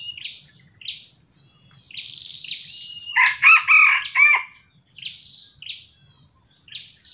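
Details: A red junglefowl crows in a trapping setting where a small decoy meets a young wild junglefowl; a strong, broken four-part crow sits mid-clip, framed by scattered high, whistled calls of other birds.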